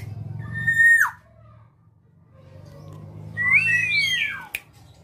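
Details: Tame female black-naped oriole, an eager singer, indoors in a small room: a clear fluty whistle held level then dropping, a pause, then a rising and falling slurred whistle, over a low steady hum.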